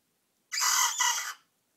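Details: Young bantam rooster practising its crow: one short, hoarse, broadband crow of about a second, split into two strained bursts with a brief dip between them. The bird is alone against a quiet background.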